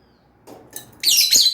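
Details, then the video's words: Pet lovebird chirping indoors: faint rustling, then a burst of high, harsh chirps with a short rising squeak near the end. "Lovebird SINGING and CHIRPING sounds"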